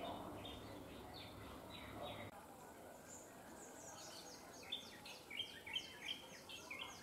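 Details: Singing on a line wire, a bronzed drongo gives quick, high, downslurred notes in a rapid repeated series, several per second, with scattered lower notes. Faint background hum at first, which then drops away.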